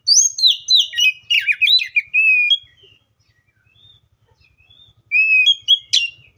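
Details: Oriental magpie-robin singing: a tumbling run of bright chirps and warbles ending in a level whistle, silence, then a few clear high whistled notes.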